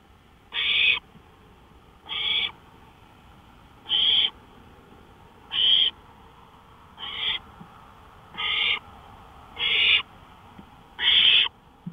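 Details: Night-time owl on a porch, 1:53 AM, May 5, 2013, giving a steady series of eight short, hissing, raspy screeches, one roughly every one and a half seconds, against still night air.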